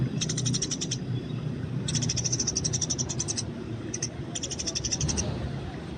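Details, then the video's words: Eurasian tree sparrow fighting in the wild, a training recording: three bursts of rapid high chirps, the middle one longest, over fairly strong low-pitched background noise. "masteran burung gereja di alam bebas"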